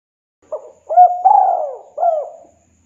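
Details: Spotted dove 'kuk 2' call for summoning a rival, played as a lure. A brief soft coo is followed by a rising note, a long sustained coo and a last downward-curving coo, all clean with no background sound.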